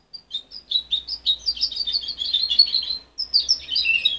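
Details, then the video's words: Young goldfinch hybrid, mother-reared and removed at 23 days, produces a continuous bright twittering warble of rapid high notes, a short break, then another tinkling phrase. "Mixto de jilguero joven"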